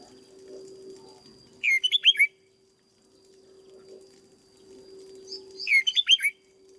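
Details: Red-whiskered bulbul in a cage, a decoy bird being conditioned into fiery form, delivers two rapid chirpy warbled phrases about four seconds apart, each a tight cluster of slurred notes, against a faint constant hum.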